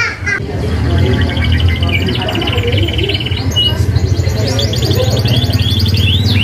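A canary sings a fast, high run of rolling trills and sharp chirps. A steady low hum or music sits underneath throughout.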